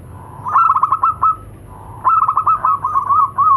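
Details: Local zebra doves, male and female, answering one another; two loud bursts of rapid staccato cooing notes, each a quick stuttering run of about eight beats, separated by a short pause.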